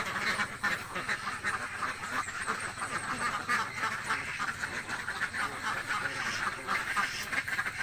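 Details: Very hungry ducks kept in a village fill the air with loud, rapid, overlapping quacking, a thick chorus from many birds without any break.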